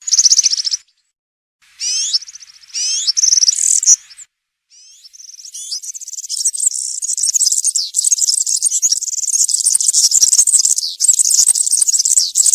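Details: European serin in country-style song for teaching young birds to copy: opening upslurred whistled notes in short bursts with gaps, then a long, fast, shrill jingling twitter that runs continuously to the end.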